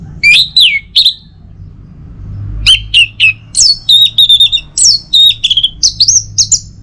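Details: Morning lure song of an Orange-headed thrush: loud downslurred whistles, a short pause, then a lively run of varied whistled notes and rapid chips in quick succession.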